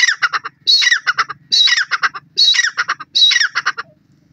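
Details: White partridge, known locally as dakni teetar, giving five loud harsh squawking phrases roughly every second. Each phrase opens with a buzzy rising note and breaks into rapid stuttered notes, over a quiet background.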